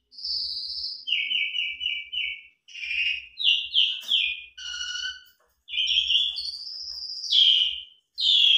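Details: Asian pied starling in energetic full song used as a singing lure. A sustained whistle leads into quick trilled chirps, harsh squawks, a low note and long slurred whistles in a varied, changing sequence.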